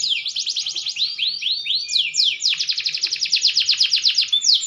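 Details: Green canary growing more mature, singing loud rapid rolls of sweeping whistled notes, several phrases of repeated downward-curving sweeps at a brisk steady pace.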